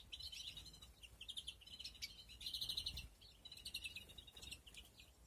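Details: Nesting European greenfinches in a breeding flight cage during 2021. Quick chirps run into rolling trilled phrases, with a strong rattling trill at mid-clip and more twitters after.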